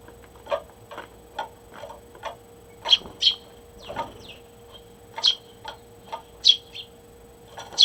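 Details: Sparrows chattering at a feeder in the early morning of 6 June 2023, before food is topped up: a busy run of short chirps and clicks, some loud and shrill, others softer and lower, about two per second.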